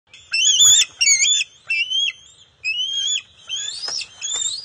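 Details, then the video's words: Juvenile bald eagle on June 22, 2021, loudly calling to welcome an adult arriving at the nest with the first fish of the day: a series of high, shrill whistled squeals, some rising and some falling, separated by short pauses. "1st Catch of the Day - Juvenile Noisy Vocals - Welcomes Arrival/Fish"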